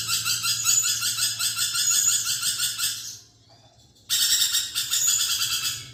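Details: Lorikeet giving a three-second run of rasping, rapidly pulsed screeching, falling silent for about a second, then starting again just as loudly.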